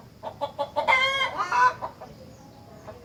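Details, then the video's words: Rengganis giving song said to draw replies from other rengganis: short rhythmic chattering notes building into two drawn-out, rich, nasal calls, then fading to quiet. "Burung Rengganis Lain Ikut Gacor Jika Dengar Suara Rengganis Super Gacor Ini"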